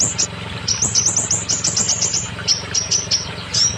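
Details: Scarlet minivet song meant to prompt molting or silent birds to sing: fast runs of thin, high chirps, then evenly spaced single upswept notes about every third of a second, with a constant low-pitched drone behind.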